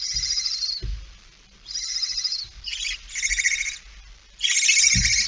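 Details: Barn owl, female bringing a mouse, early morning on 17 September 2019 at 06:11; a run of rough hissing screeches, the last one loudest, with scattered low bumps and thuds between them.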